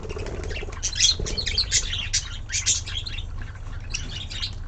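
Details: Budgerigar (Melopsittacus undulatus), chatter.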